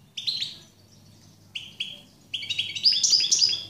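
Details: European goldfinch giving short twittering notes, then a quick tinkling, buzzy run of song that climbs higher near the end, over a faint low hum.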